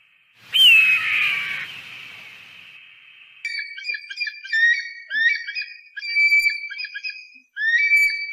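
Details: Eagle voice for scaring pests: a loud, sliding, electronic-sounding tone opens the recording, then a run of repeated high whistled calls, each rising sharply before a steady, quivering tail.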